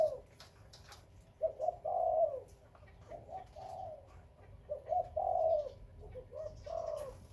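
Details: Breeding spotted dove of Khmer and Malay stock cooing in low mellow phrases: a brief note then a long smooth coo, the sequence heard three times with pauses between, quiet rustling behind.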